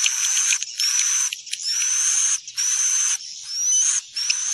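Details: Lure sound for bringing swiftlets to roost in a building: repeated high, slightly rising whistled notes, each wrapped in buzzy chatter, coming in bursts roughly every second.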